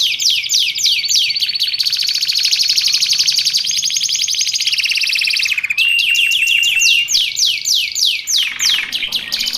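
A canary sings a fast, continuous song of rapid sweeping notes, sustained buzzy trills and rolling phrases, all high-pitched and nearly unbroken.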